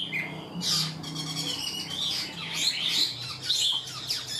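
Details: Chinese hwamei in a cage, an untrained bird described as singing properly like a tamed one: short, intense run of loud, rich whistles and slurred notes, sweeping up and down, with a soft low hum beneath.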